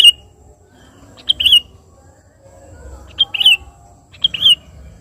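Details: Sooty-headed bulbul singing actively to call a rival: a few brief, bubbly two-part chirps with a rising lilt, spread irregularly through the clip against a noticeable low murmur of background noise.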